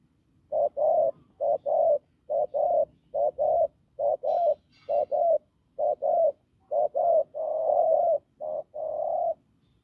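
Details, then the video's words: Hoarse, hard-voiced coo of a wild-caught spotted dove: a long run of short paired hoots, evenly spaced, with one stretched note near the end and a faint higher chirp partway through. "Bổi đồng khàn cứng gù"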